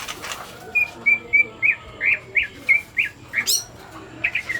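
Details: Greater green leafbird showing signs of breeding condition, giving a run of about ten clear whistled notes, some flat and some upslurred, spaced roughly a third of a second apart, with a sharp rising squeak near the end.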